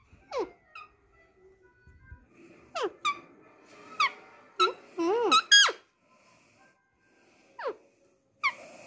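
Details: Indoors, pet Alexandrine parakeets known for Hindi talking produce a string of squeaky, wavering voiced syllables, some steeply falling and some looping up and down, spaced unevenly with a quick cluster in the middle.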